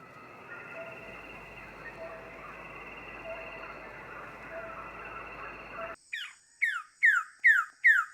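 Wilson's bird-of-paradise gives a quick series of five loud, down-slurred notes, about two per second, after six seconds of steady rushing noise.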